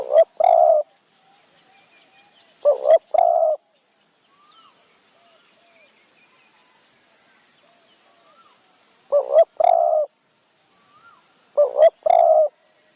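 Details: Spotted dove calling during decoy luring of wild doves in high forest near Kanchanaburi, Thailand, in the khu-ang and nun-ang calling styles: loud, low hooting phrases, each a short doubled note then a longer sustained coo, spaced several seconds apart, with faint distant coos between.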